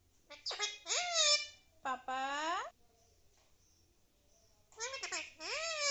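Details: A pet talking Alexandrine parakeet gives three short bursts of hoarse, speech-like mimicry, with quick rising and falling syllables and brief pauses between.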